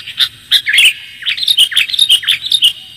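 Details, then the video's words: Sooty-headed bulbul chirping as a bird lure: sharp, high twittering notes that rise and dip, starting as separate chirps and then running together into a quicker chattering string. "pikat kutilang suara jernih"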